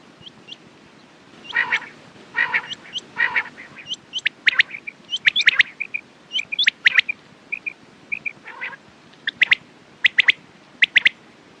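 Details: Busy quail calling: harsh buzzy bursts at first, then a dense mix of sharp clipped notes and short whistled chirps, ending with spaced bright triplets.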